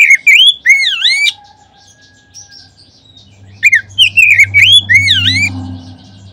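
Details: Oriental magpie-robin lure song for provoking other magpie-robins into song. Two phrases of swooping, dipping whistles are split by a pause of about two seconds. A low rumbling hum rises toward the end.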